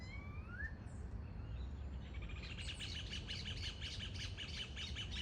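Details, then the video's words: Variable oriole (Icterus pyrrhopterus), free in its natural habitat, gives a few clear, rising whistles, then a fast, repeated scratchy chatter about three notes a second over steady low wind rumble; other bird species calling in background. "Pássaro Encontro (Xexéu de Bananeira) na natureza + som de pássaros cantando"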